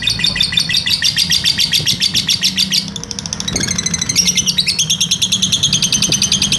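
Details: Lovebird ngekek, a long trill recorded as a master for training birds: quick repeated shrill notes, a brief softer, scratchier patch in the middle, then a strong return to the fast pulsing chatter.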